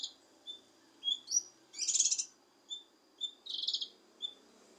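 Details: Cucak kinoi leafbird singing, played to goad a quiet kinoi: brief clear whistled notes spaced about half a second apart, broken by two rich buzzy chattering bursts.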